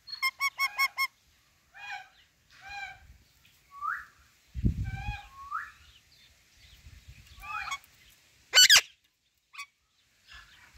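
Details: A female Alexandrine parakeet giving a quick run of five harsh, ringing notes, then scattered squawks and chatter, with one loud rasping screech near the end and a dull thump.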